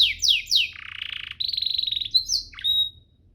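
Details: Canary master song meant to train other canaries: three downward slurs, a low buzzy rolling trill, a higher pulsed trill, then a pure sustained whistle fading out.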